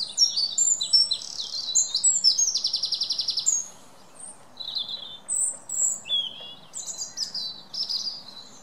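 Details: Wren singing: a loud burst of high, rapid notes with a fast buzzy trill in the middle, lasting about three and a half seconds, then quieter scattered high twitters follow after a short pause.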